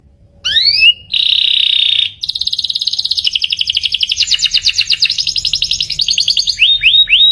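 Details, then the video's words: A canary sings high and fast to communicate and attract a mate: rising whistled sweeps, a steady buzzy note, then a long run of rapid repeated trills ending in quick upslurred notes. "Kalau yang ini suara burung kenari."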